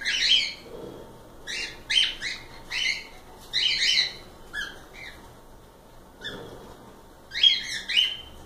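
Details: Several cockatiels chattering with repeated scratchy, harmonic chirps in loose runs, a brief lull midway, then renewed calling.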